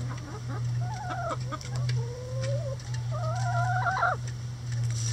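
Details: Chickens in a run working at a hanging cabbage ball, a boredom buster for the coop. There are a few short clucks, then drawn-out, wavering squawking calls, one long and slightly rising, over a constant low hum.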